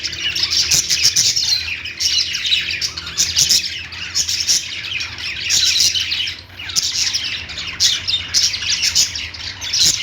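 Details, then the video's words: Lovebird singing heard as a loud, crowded chorus of shrill chirps and squawks, swelling and easing in waves every second or two. "Lovebird Singing & Chirping sounds"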